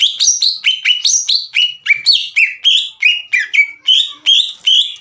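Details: Loud green leafbird (cucak ijo) song intended to anger and trigger rival birds: a steady sequence of clear, downslurred whistles at varying pitches, spaced roughly three per second.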